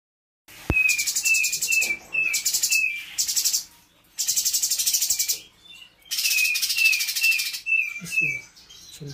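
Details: Spotted (trotol) cucak cungkok singing energetically near Bandung while being tutored with other birds' songs. It repeats bursts of dense, very high rattling trills, broken by short clear whistled notes that slide downward. Brief quiet gaps separate the bursts.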